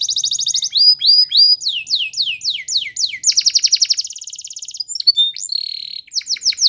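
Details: Spanish Timbrado canary song used for training: rapid metallic trills and repeated down-slurred notes in fast rolling series, changing phrase every second or so, all high-pitched and clean.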